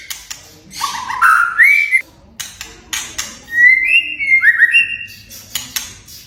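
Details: White-rumped shama whistles, played to set young or silent shamas singing: a low whistle rising in steps to a higher held note, a pause, then a run of bright level and gliding whistles, with faint clicks around them.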